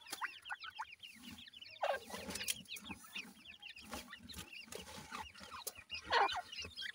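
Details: Grey Francolin (teetar) chicks feeding keep up a busy stream of thin, high peeps and short chirps, overlapping quickly, with a few soft low clucks underneath.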